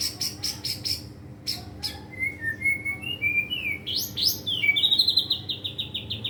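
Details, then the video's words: White-rumped shama rehearsing its song and unloading mimicked fill-in material: starts with quick high chirps, then rising and falling whistled slurs and a fast descending trill of bright notes, loud and clear over a quiet hum. "murai batu pastol belajar gacor bongkar materi!! isian ngeri bos"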